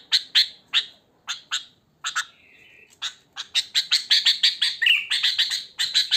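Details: Wild sooty-headed bulbul in natural song, no tutor phrases added. Scattered sharp chirps and a short flat buzzy note build into a dense, fast chatter with one slurred whistle near the end.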